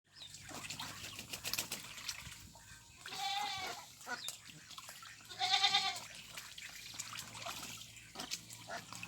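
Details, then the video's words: Ducks at a pond, possibly Mandarin ducks, Mallards or Pekin ducks: two drawn-out, nasal quacks a couple of seconds apart over a steady murmur of softer calls and a faint watery wash. "Ducks Quacking"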